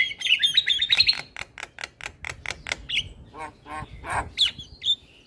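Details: Male Black-winged starling singing a full, varied song used to train young starlings: whistled notes near the start, then a fast run of evenly spaced chirps, followed by lower harsh notes and a few sharp whistles.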